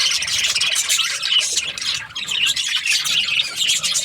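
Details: Budgerigars chirping in dense, continuous high chatter, a busy overlapping stream of squawky notes with little pause throughout.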